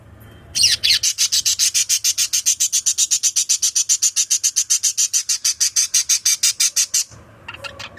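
A lovebird chirps in a fast, steady run of shrill, scratchy notes lasting several seconds.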